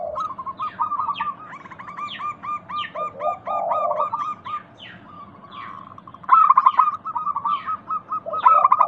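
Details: Zebra doves of a local strain sing a lure recording meant to make other doves answer. Long rolling series of clipped, mid-pitched coos is broken by low purring notes. Sharp falling chirps from other birds are scattered above.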